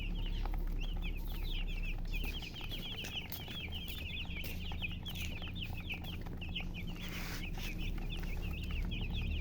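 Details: Chicken chirping in a busy chorus: short, high, upswept peeps repeated about three times a second, against steady low-pitched background noise.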